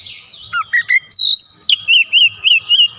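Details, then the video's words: A kacer, or White-rumped shama, sings a few low chips followed by a run of evenly spaced, wavy whistled notes, about five in a second and a half. "KACER LAIN LANGSUNG IKUT BOCOR ISIAN SUARA"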